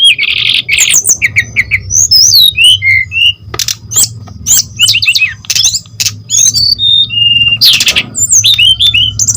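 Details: Brown-chested jungle flycatcher in full, nonstop song, used to provoke and train other flycatchers: a fast medley of high slurred whistles, down-swept notes, rapid trills and sharp clicks over a steady low hum.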